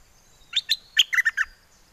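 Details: Bulbul from Chana, Songkhla in southern Thailand, a caged bird of wild-song style calling for a mate; one quick phrase of six bright chirped notes, the first two higher and the last four dropping lower.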